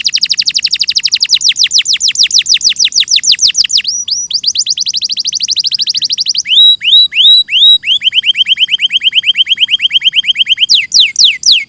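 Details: Canary song recorded cleanly as a master: long runs of rapid falling notes, a few rising whistled phrases, then a steady lower trill and a final burst of high sweeps.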